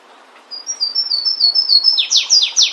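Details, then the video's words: Flavescent warbler singing in the wild: a run of thin, high whistled notes on one pitch, then a quickening series of loud descending down-slurred notes to the end. "Canário do Mato cantando bonito na natureza. Aprecie o lindo canto deste canário diferente."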